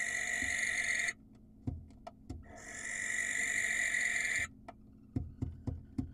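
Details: Wild barn owl filmed by a live cam in Israel, screeching to draw in a female. One rasping screech ends, light taps follow, and then a longer, steady hissing screech.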